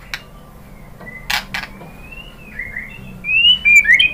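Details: White-rumped shama song meant to provoke a bird into singing: soft drawn-out whistles rise into louder, brighter slurred notes near the end, with a couple of sharp clicks early on.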